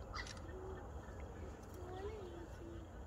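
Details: Male black swan calling his mate to follow as the pair cruises along the shoreline of a freshwater lake; soft, mid-pitched drawn-out crooning notes, three or four in close succession, over low background rumble.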